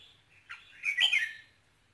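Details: Red-whiskered bulbul singing to excite a male: a short rising note, then a loud, bubbling, slurred whistled phrase lasting about half a second.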